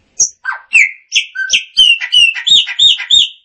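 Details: Chopi blackbird song phrase: a continuous run of clear whistled and chirped notes, falling at first, then a quick repeated series of bright rising notes, about three per second.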